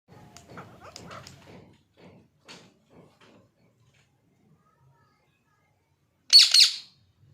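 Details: Pet parrot, said to be angry, kept indoors: soft human talk for several seconds, then one loud, harsh, broadband squawk about half a second long near the end.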